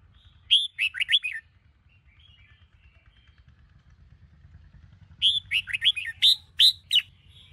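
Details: Morning song of a Sông Kôn red-whiskered bulbul, for training. Two bursts of fast, sharp whistled slurs separated by about four seconds, with low background rumble between.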